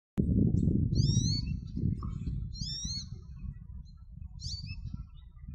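An American goldfinch gives three bursts of thin, sweet, bouncing notes a second or two apart, over a steady low rumble.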